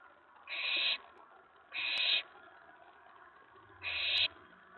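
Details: Nest-box owlet on the night of May 19 2017, excited by an owl on the tray after a mouse delivery; three separate breathy hisses at irregular intervals over a quiet low rumble.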